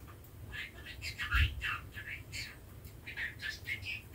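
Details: Male budgerigar practising speech: a steady stream of short, scratchy chirps and warbled syllables, rapid and uneven, rising and falling in bursts through about four seconds, with a low hum underneath.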